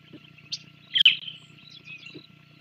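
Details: An Island Scrub Jay, found only on Santa Cruz Island, visiting the Sauces bald eagle nest on 24 January 2024, gives one short, harsh, raspy call with a few faint scratchy notes around it over a low electrical hum.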